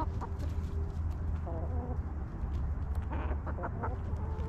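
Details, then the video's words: Backyard hens clucking and relaxing in a cozy coop, giving a few short, soft, stacked clucks in small bursts near the middle and late in the clip, under a constant low rumbling hum. "Hens Clucking!"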